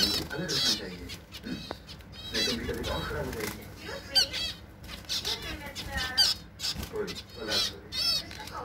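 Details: Zebra finch in summer in Tripura, northeast India, giving rapid nasal, buzzy honking notes, each a stacked harmonic burst, repeated in quick irregular phrases, with wing flutters and a low background rumble.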